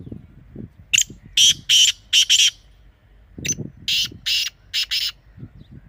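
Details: Rasping calls of a partridge, black or desi type: two runs of four to five harsh, grating bursts a few seconds apart, over soft low thumps and background rustle.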